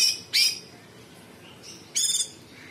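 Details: Sooty-headed bulbul giving harsh tembakan bursts in full song: two short, scratchy, high rasping outbursts about a second and a half apart, with faint softer notes between.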